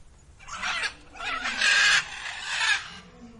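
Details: Female Indian peafowl in Zoo Villa Dolores, crying in three harsh, raspy honks of roughly half a second each, the middle one loudest, over a quiet background.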